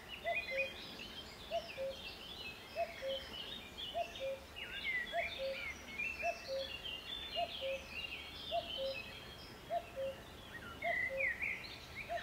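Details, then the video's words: A Common cuckoo (Cuculus canorus) gives its steady two-note 'cu-coo', the second note lower, about once a second, over a busy chorus of high, twittering songbirds; recorded 21 May 2022 at the mouth of the Soča river. "CUCULI Cuculus canorus KUKAVICA"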